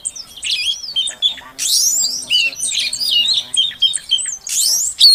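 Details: Female Oriental magpie-robin calling to stir a silent male into song: bright varied whistles and chirps between 2 and 8k, with squeaky slurred notes and a loud burst of overlapping phrases midway and again near the end.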